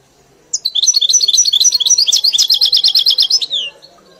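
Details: Caged European goldfinch trained on the 'mili' song style opens with twittering notes, then rolls into a long, even trill of rapid repeated high chirps lasting about three seconds.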